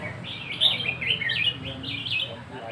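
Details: Red-whiskered bulbul in the counted-phrase song style, nap dok: bright, bouncy whistled phrases rising and falling, delivered in quick linked runs, over a low steady hum.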